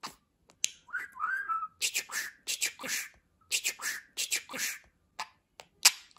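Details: Talking pet budgerigar gives a short wavering whistled slide, then a rapid run of hissy, consonant-like syllables in two groups, like quick chattered words.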